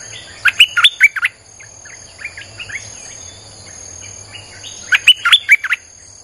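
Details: Streak-eared bulbul lure song for attracting wild birds: a quick bubbling phrase of warbled notes, a stretch of softer scattered chirps, then another lively phrase, over a faint high electronic hum.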